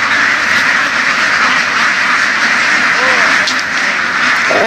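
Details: A crowded flock of laying ducks, herded through western Vietnam's fields, keeps up steady harsh quacking in a dense blended chorus. A person speaks briefly beneath it, and there is a short louder burst at the close.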